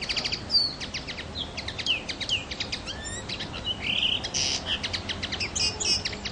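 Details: Common linnet in full song: rapid runs of dry clicking chirps mixed with twangy, nasal whistles and short trills, delivered almost without pause above light background hiss.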